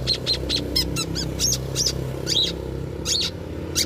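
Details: Long-tailed shrike song played to lure other birds into singing along: brisk sequence of short harsh and whistled notes, roughly one and a half per second, irregular, over a steady low hum.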